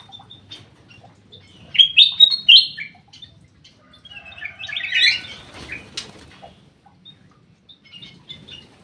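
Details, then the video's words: Black-crested bulbul in an aviary giving bright whistled, warbling phrases in two bursts near the second and fifth seconds, with faint chirps and light rustling between them. "BURUNG CUCAK EMAS \ KUTILANG EMAS SUARA MAKIN BENING"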